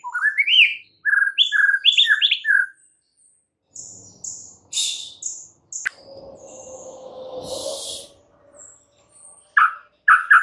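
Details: White-rumped shama singing a lure song meant to provoke other shamas: rapid rising and falling whistled phrases, then high thin notes, a stretch of low rumbling noise with a hoarse burst, and sharp whistles resuming at the end.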